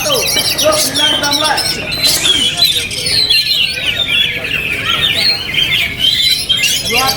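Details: Oriental magpie-robin, an owned bird, singing on through strong wind: a dense stream of varied whistled and chattering phrases with rising and falling notes, over a steady low rumble of wind.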